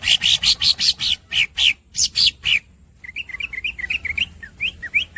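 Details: Greater green leafbird (green cucak) masteran: loud, sharp squeaky chips in quick bursts, followed by a softer, rapid twittering of thin, varied squeaks.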